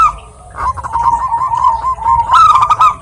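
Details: Local Zebra dove female calling a male with a continuous rolling trilled coo, rising in loudness toward the end, over a low background hum.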